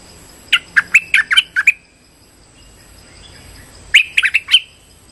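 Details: Trapping lure call of a streak-eared bulbul: a string of quick, sharp chirps with upward slurs, a quiet gap, then another short, rapid run of bright notes. A faint constant high tone sits underneath.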